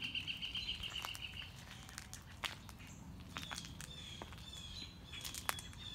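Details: Mockingbird on a morning walk, working through its repertoire: a short rattling burst of repeated notes, then quieter thin whistles, with footsteps and clicks in between.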